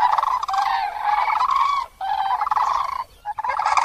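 Common cranes trumpeting in loud, rolling, rattling bursts, several overlapping calls with short pauses between them.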